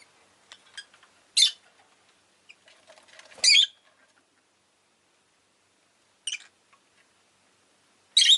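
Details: Rosy-faced lovebird giving loud, shrill chirps at irregular intervals, some scratchy, separated by quiet gaps with faint clicks.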